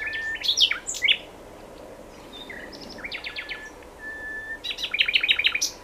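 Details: Varied nightingale song: rich chirping phrases, a pause, a sequence of repeated buzzy notes, a long level whistle, then a dense, fast chattering burst.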